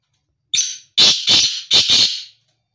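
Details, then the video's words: Black francolin, a tame bird kept loose: one short rasping note, then three loud harsh, grating bursts in quick succession. Silence before and after. "کالا تیتر کی آواز"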